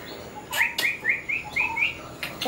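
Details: Sri Lanka myna visiting a house, recorded 10 December 2020, giving a quick run of six short, rising whistled notes, about four a second, with sharp clicks and knocks in the background.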